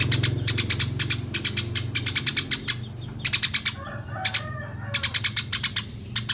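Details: Lively Eurasian tree sparrow chatter recorded to teach songbirds such as magpie-robins; bright, harsh chirps delivered in fast runs of four to six notes, pausing briefly between bursts, with a soft lower twitter and a faint constant hum beneath.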